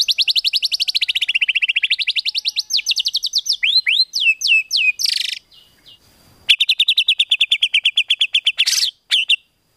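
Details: White-rumped shama song used as training material for competition birds, full of 'tembakan' fill phrases: long runs of rapid, evenly repeated whistled notes sweeping down then up, sharp rising slurs, a brief pause, then another fast chattering series.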